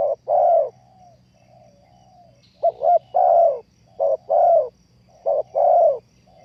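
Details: Spotted dove cooing, played as a trapping lure: low, throaty coo phrases repeated about every one to two seconds, a quick double note leading into a longer warbled croo, with a quiet background.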